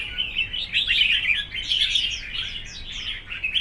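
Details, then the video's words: Red-whiskered bulbuls singing against each other in a contest, a tangle of bright chirps and falling whistled slurs delivered nonstop in a short burst. "Chào mào đấu hót"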